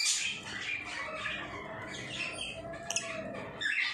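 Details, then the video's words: Pet lovebirds kept at home, apparently in Bangladesh, giving a dense, continuous chatter of overlapping harsh squawks and high twittering notes, with several birds calling at once and no clear gaps, over a faint room background. "crazy love birds"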